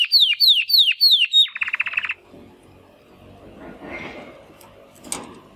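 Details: Young male Timbrado canary, born in the second breeding round of 2020, making first attempts at song after its first molt: a fast series of downslurred whistled notes, then a dense buzzy trill, followed by faint room noise and a soft click.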